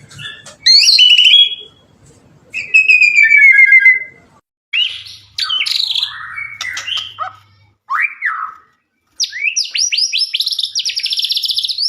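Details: White-rumped shama song used to trigger answering songs from other shamas: separate phrases of sweet whistles and scratchy descending notes, ending in a fast, high, buzzy twittering trill.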